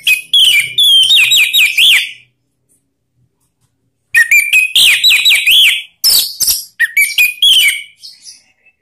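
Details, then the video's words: Orange-headed thrush lure call intended to spur other birds to sing ('ngeplong'): brisk repeated whistled slurs, rising and falling in quick succession, a two-second pause, then a longer energetic run of whistles and chattering notes. "Suara Panggilan ANIS MERAH biar ikut berkicau Ngeplong"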